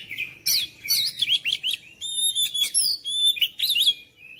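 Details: Oriental magpie-robin singing continuously. Quick warbled whistles and raspy notes give way to sustained pure high tones and rapid, varied trills, with almost no background noise.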